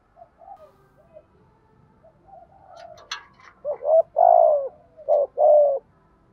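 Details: Spotted dove giving its calling and fight-challenging coo, meant to provoke wild doves. A low background murmur with a brief clatter comes first, then one loud phrase of clipped coos around a long, burred, downward-sliding coo.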